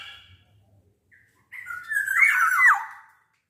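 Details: A big-bodied black-naped oriole sings in top form, its voice meant to coax other orioles into singing: a short quiet note, then one loud, fluty, wavering whistle that rises and drops away, over a faint low hum.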